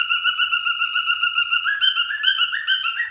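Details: Male cockatiel in courtship holds a long, level whistled tone that breaks into a lively warble of notes hopping up and down in pitch.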